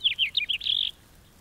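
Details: Short phrase of house finch song: a few quick slurred, descending notes running into a longer buzzy trill, then quiet.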